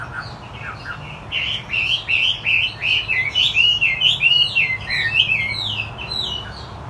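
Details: Chinese hwamei, described as wambi putih and gacor, delivering a rapid run of loud whistled, slurred notes, rising and falling phrases repeated about three times per second, with low background hum.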